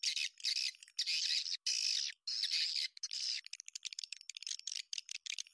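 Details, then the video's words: Swiftlets, in an original recording used as a lure sound, give harsh, buzzy chirping bursts, high and broad, in rapid runs of about half a second, breaking into quicker clicky twitters. "ST burung walet original"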